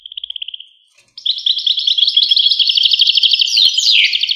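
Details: A short trill of evenly spaced notes, a brief silence, then dense fast twittering song of a European goldfinch with buzzy and tinkling elements.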